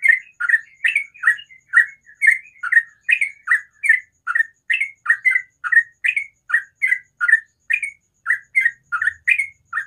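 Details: Yellow-vented bulbul delivering the fast, unbroken 'ropel' song in the morning, steady bubbly chirped notes rocking between two pitches about two to three per second for ten seconds, over a faint high whine.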